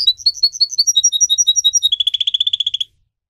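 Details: Singer canary, a pet bird used for song training, singing descending-then-level whistled notes about six per second, then shifting into a faster, lower rolling trill that ends abruptly.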